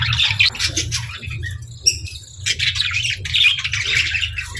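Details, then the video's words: Pet budgerigars chirping while playing in the evening: bursts of scratchy warbling chatter broken by short quiet gaps and a single sharp high chirp, over a low steady hum. "Budgies Evening Fun 🌆🦜 | Parakeets Chirping & Playing"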